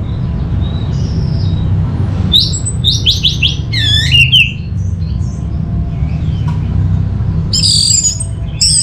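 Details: Orange-headed thrush (anis merah) song used as a lure: a rapid series of bouncing, looping whistled notes that rise and fall, then a pause with scattered soft notes, and a final burst of high chirps, over a low hum.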